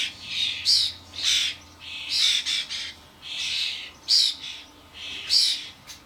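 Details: Garden feeder crowded with common starlings (Sturnus vulgaris), adults bringing fledglings to suet blocks, camcorder recording: about nine scratchy, hissing squawks in six seconds, some doubled, irregular rhythm.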